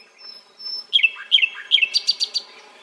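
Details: Nightingale singing: a long thin whistle, then sharp downslurred notes repeated three times, ending in a quick burst of bright, evenly spaced high clicks.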